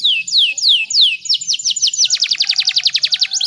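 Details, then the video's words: Female canary, in breeding condition, singing to stimulate males; slow looping downslurred whistles speed into a fast, even rolling trill of high notes with a faint steady tone beneath. "PANCINGAN KENARI BAHAN AGAR CEPAT GACORR"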